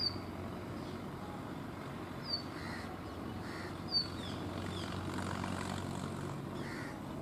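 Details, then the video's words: Brown rock chat at Tibbi, Hanumangarh, Rajasthan, 2019, calling during a dancing display: brief, thin, high downward-slurred notes at irregular intervals, with a constant low rumble beneath. "Indian Rock chat 2।। Indian Birds videos।। calling and dancing at Tibbi Hanumangarh 2019"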